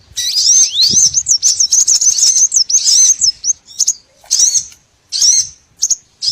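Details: Lure recording for trapping small birds: a rapid run of very high, thin chirps and upward-swept squeaks, then shorter separate bursts of twittering with brief silences between.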